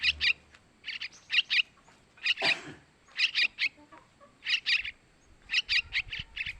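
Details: Nestling yellow-vented bulbul begging calls meant to attract males: rough rasping chirps in rapid doublets and triplets, uneven spacing, one brief broadband rustle midway.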